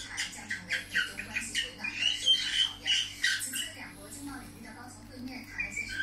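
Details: Budgerigar singing indoors in a small room: rapid, scratchy chatter of squawks, clicks and short whistled chirps, about three notes a second, uneven in rhythm, with a few brighter pure whistles mid-phrase.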